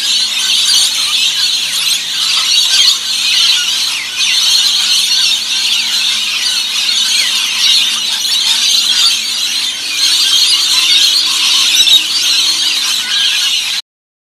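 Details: Rainbow lorikeets feeding in an Australian backyard, many birds screeching at once in a steady, piercing chatter, over a faint low mechanical hum, until the sound cuts off abruptly near the end.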